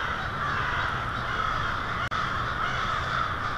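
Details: American crows by the hundreds arriving to roost for the night in Lansing, Michigan, on February 1, 2016; a thick racket of overlapping caws broken by one sharp instant of silence.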